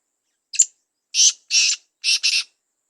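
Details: First-season male black francolin in breeding condition calling: a short sharp note, then two harsh, grating bursts and a final doubled rasping note, over complete silence.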